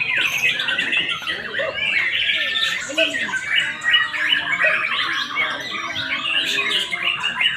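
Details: Adult white-rumped shamas competing at a bird singing practice contest in Palembang, 8 August 2023: a continuous tangle of rapid whistled phrases, harsh chatters and rising notes from several birds at once, with people talking in the background.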